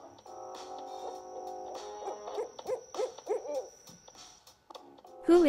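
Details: An owl gives a quick series of about four wavering, mid-pitched hoots, each rising then falling, over steady background music that ends in a sharp swoosh.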